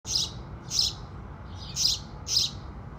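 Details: House sparrows singing at sunrise: bright, high chirps in short bursts about every half second to second, over a low background rumble.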